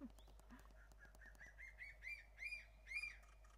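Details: Crested serpent eagles on Ishigaki Island, Okinawa, call back and forth in high, ringing whistled notes, about two a second and growing louder, over a steady low hum. Finding: Crested serpent eagle.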